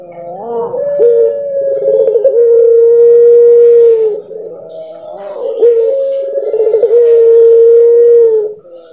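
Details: Two long puter pelung dove song phrases about five seconds apart, each with a bent harmonic start, a quavering pulse and a long held tone, over faint background hiss.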